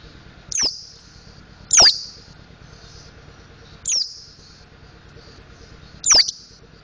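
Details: Mountain white-eye (pleci montanus) learning the ngriwik and ngeplong singing styles: four thin, high, sharply falling whistled notes, spaced roughly one to two seconds apart, over a faint low background hum.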